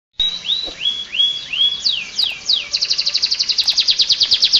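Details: Canary in full song, used as a tutor for training other birds: a series of rising whistled sweeps that then breaks into a fast, bright, evenly repeated trill.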